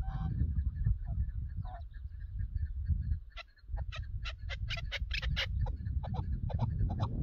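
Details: Chukar partridge recorded on a partridge hunt: scattered soft notes at first, then after a brief lull a fast series of loud, raspy chuck calls, all over steady low-pitched rumbling.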